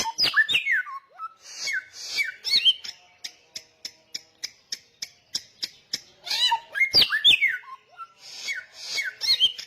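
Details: Samyong songbird singing persistently and loudly: sharp whistled notes sliding downward open the phrase, then a long run of brisk, evenly spaced clipped chips, before rich whistled flourishes return.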